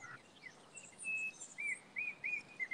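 A Yellow-backed Oriole gives clear, slurred whistles, about one every half second, over faint, thin high chips from other birds and steady outdoor hiss.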